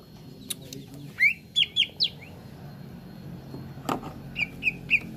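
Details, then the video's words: A leafbird gives short, clear whistled notes with quick slurs in two bursts of three to four notes, with a sharp click and faint background hum. "TERAPI CUCAK IJO BAHAN CEPAT GACOR"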